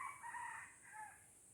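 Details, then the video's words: Junglefowl in Aceh, recorded 05/01/2020, giving a crow: a loud, harsh, strained first phrase, then a softer, lower, drawn-out closing note, over a steady high hiss. "Ayam Hutan Aceh"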